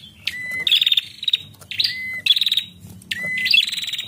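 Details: Female bar-winged prinia calling to stimulate male song: three phrases, each a short flat whistled note followed by a rapid buzzy stuttering trill at higher pitch, spaced about every 1.5 seconds over a faint low rumble.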